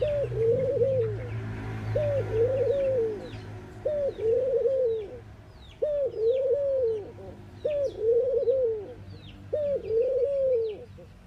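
Mourning dove giving soft, hollow, low coos, one arched note about every two seconds. Faint high chirps from other birds sound in the background.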